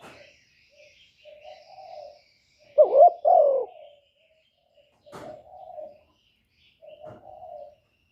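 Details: Spotted dove kept as a lure bird for catching wild doves. One loud cooing phrase of a wavering double note and a falling coo stands out among soft, faint murmurs and a few brief clicks.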